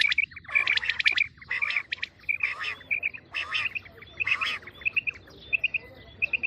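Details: Common quail calls for the coming wheat season, female calling: dense clusters of sharp chirps and short trilled notes, with overlapping callers and brief pauses between bursts.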